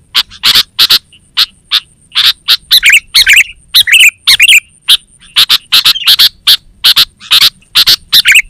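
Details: Sooty-headed bulbul chattering steadily, used as a lure and training master: continuous rapid, sharp chips with occasional bubbly, warbling phrases, plus a faint constant high tone and low background rumble.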